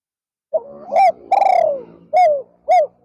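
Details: Spotted dove kept as a decoy for luring wild doves, calling during an afternoon session: a quiet level introductory note, then a hooked coo, a long rolling downward coo and two short clipped coos, evenly spaced.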